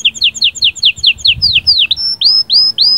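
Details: Canary singing sahsahat and batbatat, offered to stimulate the female: a run of quick downslurred notes repeated several times a second, then a few loud upslurred whistles.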